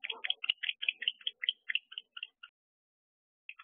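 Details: Barn owls fighting in a nest box on a December evening: a rapid series of short, high, clipped chitters, about two or three per second, which stop and then resume briefly after a second's silence.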